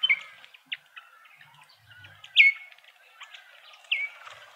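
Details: Feasting Speckled mousebirds in a Pretoria garden, South Africa, let out two prominent falling whistles about a second and a half apart, surrounded by thin chirps and quieter tonal notes.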